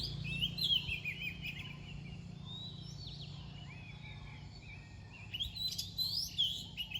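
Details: Oriental magpie-robin singing near dawn: a burst of sweet whistled, sliding notes opens the passage, then a lull with a low steady background hum before more bright whistles return near the end.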